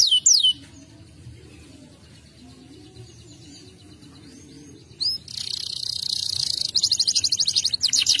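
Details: Canary with a short burst of high downslurred notes, a pause with only faint soft sounds, then a rapid rolling high trill building at the end.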